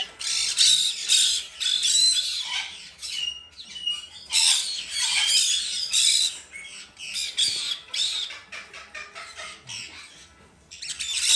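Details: Female blue-eyed cockatoo chick on hand-feeding three times a day: long stretches of loud, rough, rasping squawks in rapid uneven bursts with brief pauses between, faint music in the background.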